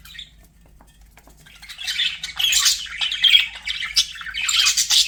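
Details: Pet budgerigars singing indoors: after a quiet start, a dense, scratchy warble of rapid chirps and squeaky notes builds and runs continuously to the end.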